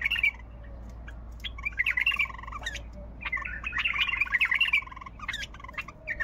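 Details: Singing bulbul, noted for its developed voice and many phrases. Scattered bursts of liquid warbling notes come in several short phrases with quiet gaps between them, and a low steady hum sits underneath.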